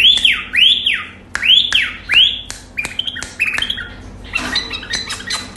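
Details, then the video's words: Singing Iraqi bulbul (white-eared bulbul) opens with loud arched whistles, each swooping up then down, repeated about once a second, then shifts into quicker chattering chirps and clipped notes before a busier, scratchy close. "Iraqi bulbul bird singing"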